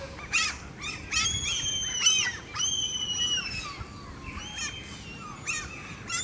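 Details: Vorwerk chickens at Van Blanckendaell Park, Tuitjenhorn, Netherlands, give a run of loud, squawky calls, some drawn out and slightly falling, several birds overlapping at an irregular pace.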